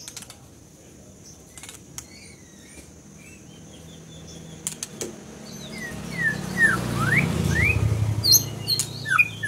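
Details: Scarlet minivet song as a run of short rising whistles that grow louder and closer together, set over a low rumbling background, with sharp clicks and faint high notes earlier on.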